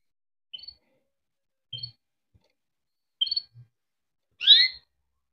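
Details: Kept canary giving short scattered chirps at intervals of about a second, ending in a louder complex chirp; soft low knocks between notes.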